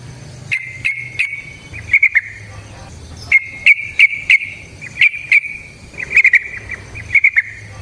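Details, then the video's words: Wild yellow-vented bulbul, recorded as a lure for bulbuls: short clusters of high, bright whistled notes separated by gaps, over a low steady hum. "Trucukan GACOR ngalas ROPEL PANJANG suara alam AMPUH buat pancingan"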